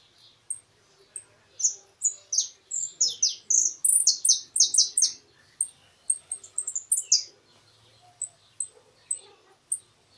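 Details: Field-style European goldfinch song with a closing phrase. Scattered sharp high chirps lead into a rapid, tinkling, twittered burst, then sparse single metallic notes trail off with pauses between them.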